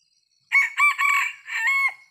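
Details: Sumatran red junglefowl crowing during traditional trapping in Sumatra: one short crow of four joined, harsh, rasping syllables, the last drawn out and falling at the end, against silence.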